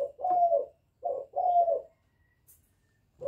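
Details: Short run of a young spotted dove's calling and bowing coos, aimed at provoking wild doves: two mellow, slightly falling coos about a second apart, then quiet.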